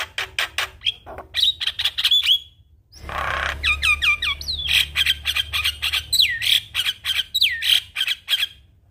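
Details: Vigorous mimicry-rich song of a Javan myna (jalak kebo): rapid clicks and short whistles, a broad harsh hiss, then bright downslurred and looping whistles mixed with crackling notes, against faint low hum.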